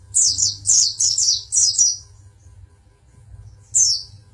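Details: A champion Pangandaran pleci, the oriental white-eye, gives a quick run of high, thin, tumbling chirps for two seconds. After a pause one more bright trill follows, with a faint low hum underneath.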